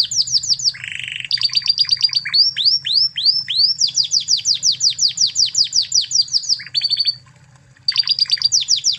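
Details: Master song of a Spanish Timbrado canary from Spain, used to train other canaries: loud rapid repeated downward-sweeping notes, a low buzzy rattle, fast rolls and a brief pause before the trilling resumes.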